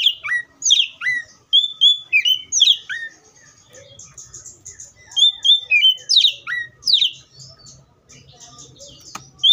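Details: Oriental magpie-robin in varied song: quick whistled phrases of short notes falling and swooping, with sharp rising upslurs, repeated in clusters separated by brief quiet pauses.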